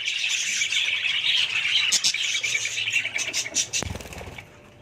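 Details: Budgerigars in a flock chirp and twitter in fast overlapping notes, then a few sharp clicks and thumps break in before the chatter fades to near quiet.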